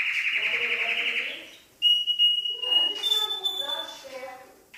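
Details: Canary song: a buzzy rapid trill, a short silence, then pure thin whistled tones held at two pitches, with softer warbling notes below.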